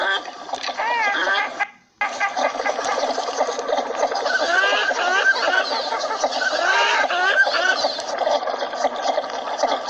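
Northern Shovelers in a flock give a dense, continuous chorus of throaty, gurgling chatter and nasal notes, broken by a brief silence near two seconds.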